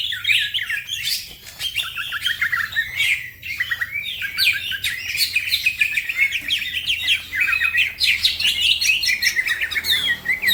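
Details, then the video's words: Green leafbird (cucak ijo) singing fast and continuously as a master recording for other songbirds; long stream of chattering, twittering notes and quick whistled slurs with few pauses. "The green cucak bird makes noise, other birds also become gacor"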